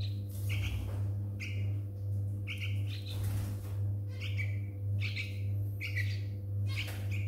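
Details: Two baby yellow-vented bulbuls, found in a front yard on a Wednesday morning after a night thunderstorm with no parents in sight, give short, thin chirps in quick bursts about once a second over a low electrical hum.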